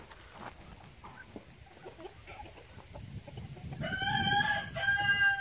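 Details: Light Brahma chickens: soft clucking and rustling for several seconds, then a rooster's loud harmonic crow rising in strength toward the end.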